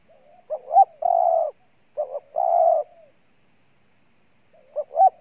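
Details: Spotted dove cooing in Ninh Thuận, Vietnam: twice a pair of short, lilting notes followed by a long, level coo, with a third phrase beginning at the end; otherwise quiet.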